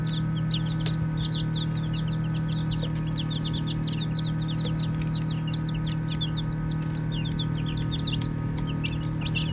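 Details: Playful baby chickens peeping nonstop, a crowd of brief, high-pitched downward chirps tumbling over one another, with a constant low droning hum underneath and a faint click or two.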